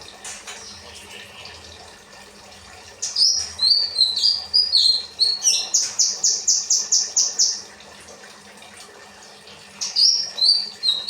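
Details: Kinoi performing rambatan material for cage bird training: mixed high whistled notes lead into a rapid, even series of sharp chirps, then silence, then another burst of high warbling notes.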